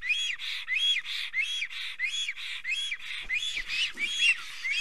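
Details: Estonian black storks, a pair arriving at the nest and singing together, 25 June 2020, afternoon; quick run of hoarse, arched whistled notes repeated about every two-thirds of a second, with faint knocking near the end.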